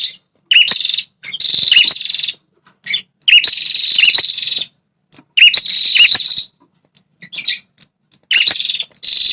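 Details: Red-headed prinia used as a lure to make territorial wild males respond aggressively: long buzzy, rattling bursts around a high pitch with short dipping notes, repeated in four separate bouts with short silences between.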